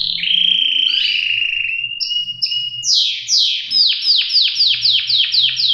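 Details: Canary singing: long sustained whistled tones at two pitches, short higher whistles, then a run of rapid descending notes repeated about twice per second.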